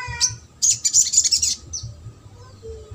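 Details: High-pitched trotol song of a sogok ontong, a recording used to spur birds that will not sing. One short chirp, then a dense shrill trill lasting about a second, fading to a faint whistle.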